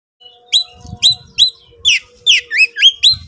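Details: Oriental magpie-robin (kacer) singing in the excited 'konslet' style, highly agitated and calling a rival to fight: eight loud whistled notes, each dropping sharply with a bright overtone, about two per second, with a faint low hum and soft thumps beneath.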